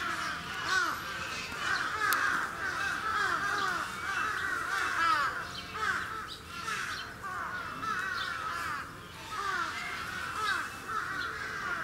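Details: Sarus cranes at Gunma Safari Park, Japan, on 10 November 2018 give loud, harsh trumpeting calls that overlap into a continuous clamour, with some other bird calls mixed in.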